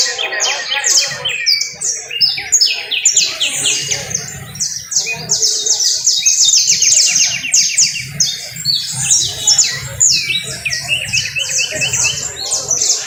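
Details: Canary in Valledupar pouring out a long, continuous song of high, fast trills and slurred chirps, rolling phrases changing every second or two, with a low rumble of background noise underneath.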